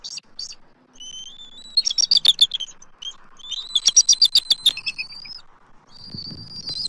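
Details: Adult eagles at a Southwest Florida nest tree, 12 March 2024, calling from a nest camera as an intruding immature eagle circles. High, thin piping notes come in two rapid chattering bursts of about ten notes each, with faint wind noise.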